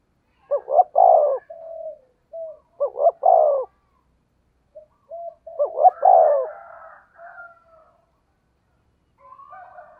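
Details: A 'thổ sấm' thunder-voice spotted dove is used to lure other doves. Three loud coo phrases each begin with clipped double notes and end in a throaty roll, followed by brief soft hoots and faint whistling.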